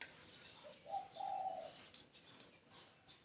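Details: Spotted dove cooing: a short low note followed by a longer steady hollow coo, faint against a quiet hissy background with scattered soft high chirps.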